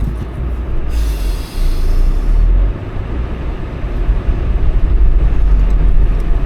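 Heavy low rumbling of rail traffic with a brief hissing burst near the start and no animal calls.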